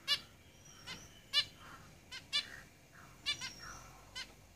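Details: Zebra finches in a cage giving a quick series of nasal, trumpet-like call notes, about eight in under five seconds, with a thin high whistle in the background.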